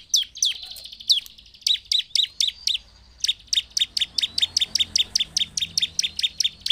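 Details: Bar-winged prinia singing in energetic gacor style, used to provoke other prinias into an emotional response. It opens with a few sliding whistled notes, then delivers a fast, steady series of sharp, high, downward-flicking chirps, about three per second.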